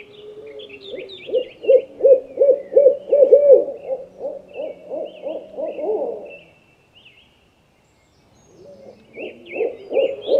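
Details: Owl calling with a fast run of pulsed mid-pitched notes for about six seconds, a short silence, then the series starting again, with faint thin chirps higher above.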